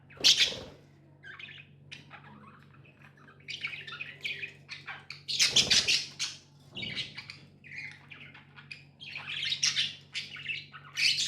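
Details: Tame budgerigars chatter in loud bursts of harsh, noisy squawks mixed with rapid warbled chirps, irregularly spaced, while a constant low hum runs underneath.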